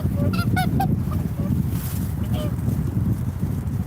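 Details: Swans giving a quick run of bright, nasal trumpeting honks in the first second, then a few fainter scattered notes, all against a continuous low rumble.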